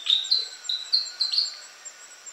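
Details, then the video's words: Willie wagtail giving clear, thin whistled notes, about six short high whistles in quick succession, over a faint hiss. "Natural Birds Voice, Bird Natural Sound.Willie Wagtail"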